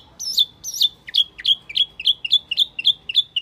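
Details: Lure recording of the Wambi Mini: high ringing chirps, the first two with thin overtones above, then a regular chain of shorter, sharp notes, roughly three per second.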